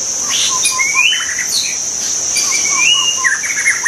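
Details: Melodious song of a wild white-rumped shama: long upward-gliding whistles alternate with short low piping notes, the phrase repeated twice, against a high continuous insect buzz.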